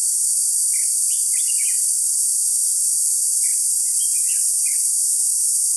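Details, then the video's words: Decoy red-whiskered bulbul at a bird trap, 21 July 2016, giving two bursts of quick warbling notes with a pause between them, against a steady shrill insect hum. "Bẫy chào mào bộ khủng mào lân"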